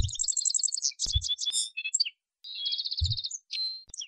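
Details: Song of a male Atlantic canary: quick repeated high trills, sharp whistled notes and a steady pure tone near the end, broken by short gaps, with a few soft low thuds underneath.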